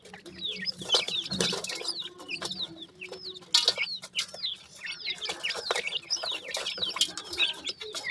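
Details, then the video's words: High, thin peeping from a group of partridge chicks in Pakistan. Sharp falling notes come quickly and overlap throughout, mixed with scratchy knocks and rustles. "partridge babies"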